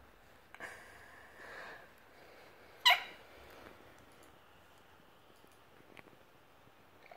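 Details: An Australian pet lorikeet mimics a sneeze, one sharp, explosive burst about three seconds in after soft, breathy hissing, in a quiet room.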